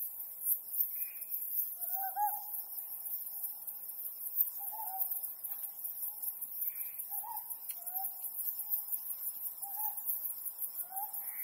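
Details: Ryukyu scops owl at night under the mid-autumn harvest moon: short, soft hooted notes repeated every second or two, some slightly rising, set against a steady high-pitched insect chorus.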